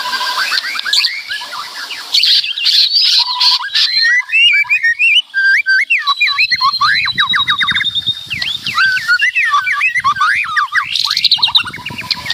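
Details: White-rumped shama delivering a loud, varied song: clear whistles, a long steady high note, then fast series of sharp downslurred chips repeated in quick succession.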